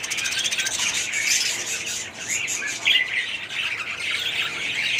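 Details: Many budgerigars in an aviary colony, 2017, keep up a busy, high-pitched mix of squawks, chirps and warbles with no pause.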